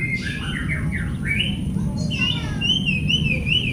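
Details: Oriental magpie-robin song for a training recording meant to prompt silent or stressed birds to sing: varied whistled phrases, some sliding down, others rising, ending in a sweet wavering whistle over a steady low rumble.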